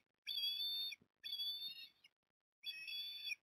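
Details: Port Lincoln ospreys at feeding time, with three growing young in the nest, 9 October 2021, on a live camera: three long, thin, slightly rising squealing whistles, each near three-quarters of a second, separated by short pauses.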